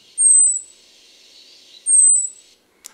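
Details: European robin; alarm call; warning of birds of prey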